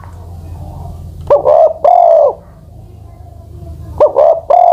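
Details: Ten-plus-year-old spotted dove used as a ground decoy, two cooing phrases about two and a half seconds apart, each a sharp short note and two smooth sustained coos, low hum beneath.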